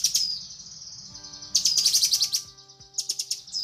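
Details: Female cucak kinoi calling for the male in a tutor recording: fast, high, repeated chirps in short bursts of about four per second, with small pauses.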